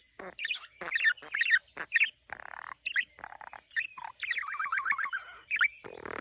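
A budgerigar warbles, mixing rapid chirps, squeaks and harsh chatter in a continuous jumble.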